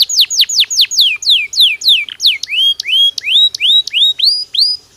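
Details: Belgian canary song, natural and clear: loud swooping whistles falling in pitch, then turning into upward-curling notes with crisp clicks between them, roughly three per second.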